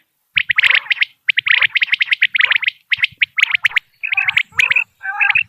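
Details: Common quail, recorded in Dera Ghazi Khan and used in quail hunting, giving quick runs of bright, clicking whistled notes in clusters of three or four. Near the end come softer nasal, wavering notes.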